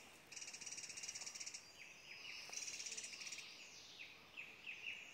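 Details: Hill blue flycatcher at Doi Inthanon, Chiang Mai, Thailand: short dipping notes repeated in quick succession in the second half. Loud pulsing insect buzz in two high bands fills the first part.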